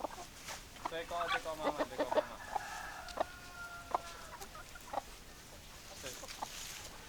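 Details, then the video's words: Hens and roosters: a burst of rapid, overlapping clucks, then a long, even, drawn-out tonal call lasting about two seconds, then sparse single clucks fading into background hiss. "Chicken Sounds Noises Hens Clucking Roosters Crowing"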